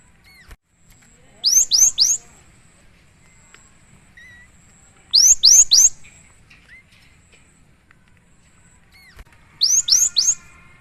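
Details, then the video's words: Great tit singing vigorously, recorded for training and luring: three clear groups of three fast, high, ringing upslurred-downslurred notes at about four-second intervals, with a couple of softer short whistles between them and a quiet background. "suara burung gelatik batu"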